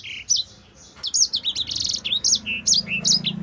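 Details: Vigorous tutor song of a black-throated canary (sanger): after a quiet opening note, a fast jumble of high chirps, short buzzy trills and whistles, over a low humming background.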